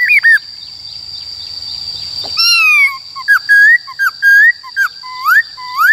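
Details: Black-throated laughingthrush singing in 'wild voice' style to train young and wild-caught birds: a long falling whistle, then a series of loud rising and level whistled phrases, over a steady high electronic tone.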